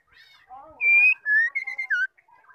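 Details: Calls of a female white-rumped shama, used to prompt males into song: soft low warbling gives way to strong clear whistles, one long and level, then a quick run of short notes and a falling slur.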